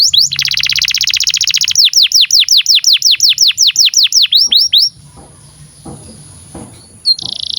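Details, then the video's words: Canary song used as a master recording to teach young canaries and birds that have stopped singing: a fast buzzy trill of about 1.5 seconds, then a run of sharp, high, downslurred whistled notes at about six per second, then near silence with one brief high note. "SUARA BURUNG Kenari GACOR PANJANG INI Cocok untuk Masteran KENARI PAUD dan Kenari Macet BUNYI"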